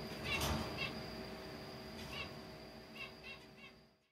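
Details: Captive zebra finches in a cage squabbling as a newly added female bullies another bird and chicks: short, nasal, toy-trumpet calls, about six in four seconds, over a steady high whine and faint room noise.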